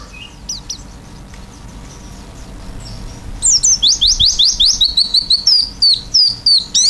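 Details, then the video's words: An actively singing oriental white-eye (pleci) with an 'isian' filled song, beak open. After scattered faint chirps, a steady series of sharp, high, slurred notes repeats about three per second, then ends in thin, descending whistles. "pleci gacor isian buka paruh"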